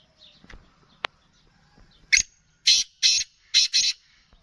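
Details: A rare black francolin kept for sale gives a series of loud, buzzy, rasping notes after some faint background sounds and a sharp click. Five grating bursts fall into a quick, uneven rhythm, ending in a tight pair.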